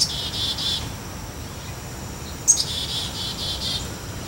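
A black-capped chickadee gives two short bouts of quick, buzzy, high notes, the second opening with a sharp thin note, over a low steady background hum.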